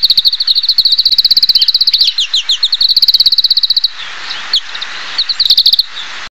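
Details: Chloris sinica, the oriental greenfinch, delivering a long, even, rapid trill of high clicking notes for nearly four seconds, with interwoven twangy notes, then sparse chips and a final short trill.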